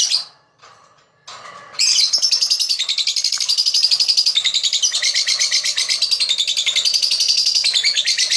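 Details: Lovebird, described as a fighter, chirping to attract other birds: a few opening notes, then a long unbroken stream of very fast, shrill, pulsing chatter at high pitch.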